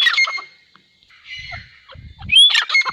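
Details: Grey francolin pair calling: harsh, scratchy, squawking notes that fade, a short pause, then a loud burst opening with a sharp rising whistle and ending in more rasping notes.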